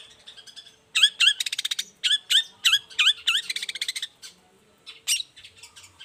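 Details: Morning song of a long-tailed shrike as a lure: a series of repeated swooping whistled notes run into fast trilling rattles, then a pause and a final sharp burst.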